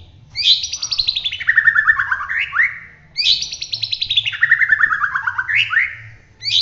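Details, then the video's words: White-rumped shama of the Bahorok type from Medan, singing actively in the rolling 'roll tembak' style: two long phrases, about three seconds apart, each a rapid run of bright notes sliding down from high to mid pitch and ending in sharp upslurs. "suwara murai batu Bahorok gacor roll tembak"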